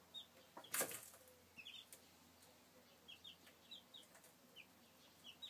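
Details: Chicks recorded in 2013 utter a series of brief, high, falling peeps, often in quick pairs, with one loud knock near the start and light clicking throughout.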